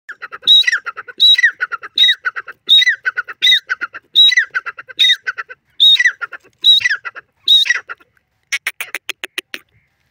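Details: Wild partridge or pheasant calling in the warm season: a harsh, harmonic-rich phrase topped by a short high whistled note, repeated steadily about every 0.7 seconds for ten rounds, then a quick run of dry clicking pulses.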